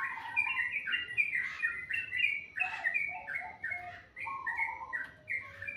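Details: Bird singing in the morning, described as very melodious: a continuous run of short warbled and chirped notes, sliding between mid and high pitch, with a faint low hum beneath.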